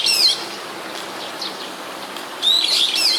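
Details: Brown-eared bulbul in Sumida, Tokyo, 21 May 2017, heard nearby through a camera's built-in microphone: a shrill squealing burst opens, a quiet stretch with faint distant notes follows, then another harsh high squeal.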